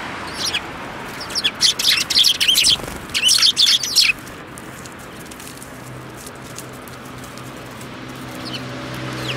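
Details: On 29 January 2018 a group of sparrows chirps in two dense, rapid bursts of high twittering notes, then falls to a few faint calls over quiet background hiss.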